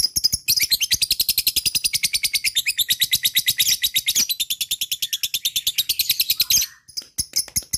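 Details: Lovebird lure call meant to set off answering calls from other lovebirds; a nearly seven-second unbroken, rapid, harsh chattering trill, steady in pace, ending in a few scattered chirps.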